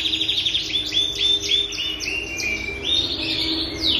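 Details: Frilled canary song made of loud, separated descending whistled notes repeated about every quarter second, some with a steady pure tone underneath, followed by a longer buzzy rolling phrase and a final sweep.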